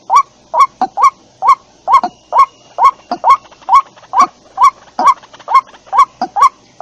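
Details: About sixteen croaking, honk-like notes from a white-breasted waterhen lure recording, repeated steadily a little over twice per second, with occasional fainter notes between them.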